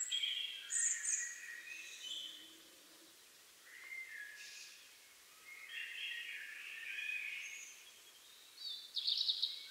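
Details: European robin in Liepāja, Latvia, January 2023, delivering soft, rather distant phrases of high thin whistles and warbles separated by quiet gaps, with faint background hiss.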